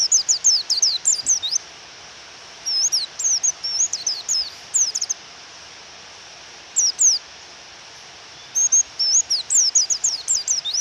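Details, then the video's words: Female white-eye calling to provoke a male into singing, with rain falling: bursts of thin, high, down-slurred chirps in quick runs, broken by pauses of a second or more, over steady rain hiss. "Pleci Suara Memanggil Lawan dan Suara Hujan"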